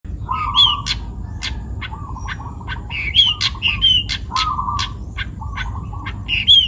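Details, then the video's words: Young wild-taken long-tailed shrike singing vigorously: harsh broadband chattering bursts mixed with short high whistled slurs and lower buzzy trills, phrases coming in irregular runs over a steady low rumble. "CENDET PASTOL MUDA HUTAN (MH) GACOR BUNYI"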